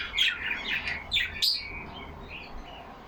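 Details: Yellow Australian parakeets kept caged chatter among themselves: a quick run of scratchy chirps and sharp high squeaks, then softer short whistled notes trailing off.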